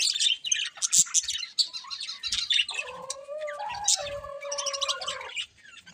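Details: A breeding pair of colourful budgerigars: dense, rapid high chirps and chattering warble run almost without pause, joined midway by a lower, drawn-out wavering tone for about two seconds before the chatter fades at the end.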